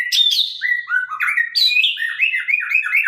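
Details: White-rumped shama of the Sabang line, singing sharply and loudly: a fast run of varied whistled phrases sliding between low and high notes, with quick stepped notes and bright high chips, no other sounds.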